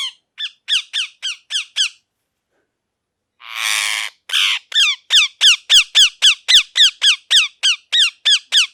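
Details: Parrot, a pet ringneck, calling in a rapid series of sharp, downward-slurred chirps repeated about three or four times a second, with a brief harsh screech in the middle of the run.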